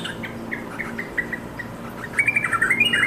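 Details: Yellow-vented bulbul calling its companions: soft scattered chirps build into a lively, bubbling run of rapid notes toward the end.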